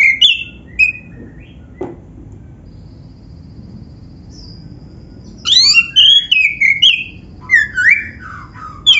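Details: Black-breasted oriental magpie-robin in full song with inserted phrases, played to make other magpie-robins sing: opening whistled notes, several seconds of quiet, then a long energetic run of loud, varied, sliding whistles and sharp chips.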